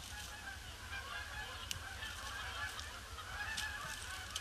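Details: Flock of Canada geese circling a pond before touching down, grey Boxing Day; continuous honking chorus with several sharp clicks or splashes standing out, over low rumble.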